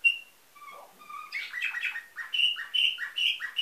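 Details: Canary from a breeder in Varna, Bulgaria, singing a nightingale-type song: long pure whistled notes, then rapid descending slurred phrases and repeated bright whistles about two per second.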